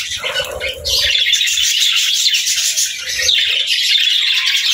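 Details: Budgies singing: a short, mid-pitched chirpy phrase opens, then loud, continuous high warbling carries on to the end.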